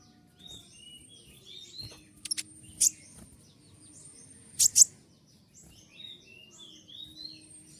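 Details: Kolibri ninja sunbird, recorded for training other birds and described as singing 'tembakan': two sudden piercing high chip pairs stand out over faint, scattered high twitters and a low hum.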